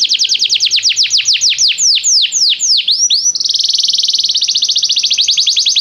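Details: Canary training song: a series of falling, slurred high sweeps gradually slowing, then an abrupt switch to a rapid, dense, even trill sustained to the end.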